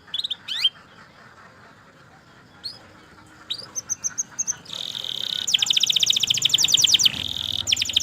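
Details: Canary heard first as scattered short chirps and brief whistled notes over faint background hiss, then launching into a loud rolling trill near the end.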